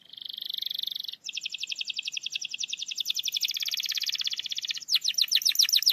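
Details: Canary song meant to trigger singing in a lazy canary: an opening buzzy trill, then a long uninterrupted rapid roll of high notes ending in faster descending chirps.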